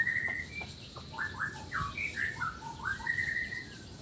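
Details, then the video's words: Male white-rumped shama of the black-tailed Nias form, singing to provoke rival males into song: clear whistled phrases, some rising and some falling, strung together with short gaps over a faint background hiss. "suara alam khas murai batu blacktail,ekor hitam,nias..suara ini bisa bikin auto emosi murai lain"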